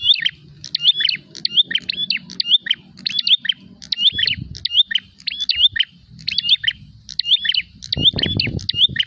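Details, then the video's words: Prinia calling as if fighting and seeking a rival: loud, high chirpy phrases of sharp notes and short whistled slurs, repeated in rapid bursts about every half second, with low rumbling background noise. "prenjak gacor narung mencari lawan"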